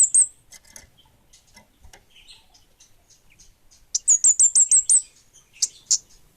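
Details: Kemade bunga api, the orange-headed thrush, singing energetically: an opening high note, soft scattered twitters, then a fast series of seven shrill down-slurred whistles followed by two separate sharp notes.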